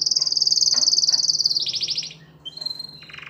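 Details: Canary song to encourage females to mate: a very high, rapid rattling trill held for over a second, shifting into a lower pulsed roll, then thin whistled notes and a fresh fast trill.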